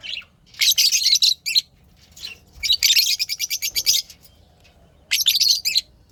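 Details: Happy pet lovebirds chirping in repeated bursts of shrill, raspy high chatter, a long rapid pulsed run in the middle and another burst near the end, with short gaps between.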